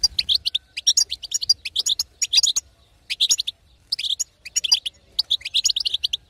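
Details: Female European goldfinch calling in the betbeta style that stimulates a silent male to sing; clusters of rapid, high-pitched tweets separated by short pauses, lively and repetitive.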